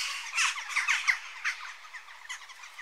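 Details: Western jackdaw calls close by, a few loud harsh squawking notes in quick succession, then softer scattered calls fading out.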